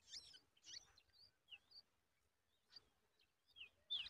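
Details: Yellow-tailed bulbul putting a large spider into its nestlings' mouths; a few loud high squeaky bursts with thin whistled slurs between, spaced irregularly over a few seconds.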